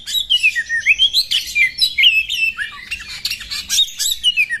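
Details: Oriental magpie-robin female provoking a male to open its tail and fight; rapid varied song of downslurred and upslurred whistles with rasping notes, phrases tumbling about twice a second.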